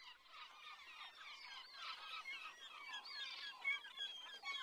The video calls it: The sounds of sea gulls